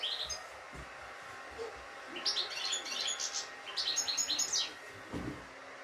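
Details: Kept European goldfinch with a good, unbroken 'şak şaklı' style song: a burst of high, buzzy chirps and twittered notes midway through, over a low background hiss and a few soft knocks.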